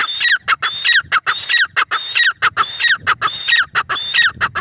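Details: Grey francolin, teetar, producing a continuous, evenly paced run of loud, grating, high-pitched notes, each pair topped by a clear whistled tone, with no break throughout.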